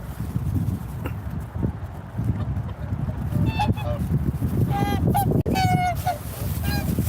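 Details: Swans giving a short burst of nasal, trumpeting honks, mostly clustered toward the end, after a quieter stretch dominated by low rumbling wind-like noise and a brief sharp click.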